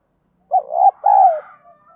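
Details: Spotted dove in the 'giọng đồng' voice style, cooing to provoke fighting; two low, mellow coos in quick succession, the second longer and sliding downward, followed by a faint trailing tone and then quiet.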